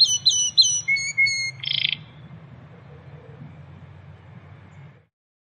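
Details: Wild canary singing in the 'tembakan' (shooting) style: a few loud high chirps and repeated short whistles, then a brief harsh buzzy burst, followed by a quiet stretch with only faint background hum.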